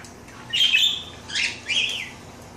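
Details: A female parakeet taking her daily bath, with her mate nearby, gives three short, bright chirps in quick succession, the last one sliding downward.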